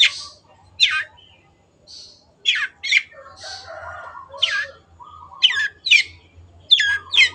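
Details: Long-tailed shrike in an energetic tutor recording. Scratchy downslurred notes come singly and in pairs with uneven gaps. Some noisy rasps and soft lower twitters sit between them, over a faint hum.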